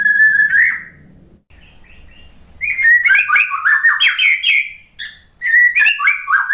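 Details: Lure song of a white-rumped shama aimed at a shama stressed after moulting: a clear whistle, soft quiet notes, then loud, jumbled bursts of rapid whistles and chatters.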